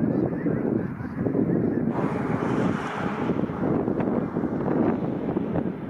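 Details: Several thousand migrating snow geese descend on a pond in the Township of North Dundas, bound south for winter; a dense, continuous chorus of overlapping honks roars throughout, with wind rumble underneath.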